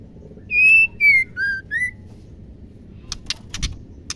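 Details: Caged female white-rumped shama whose voice is used to provoke male singing: four pure whistled notes, the first long and steady, the next falling, then two lower rising whistles, followed by sharp clicking taps.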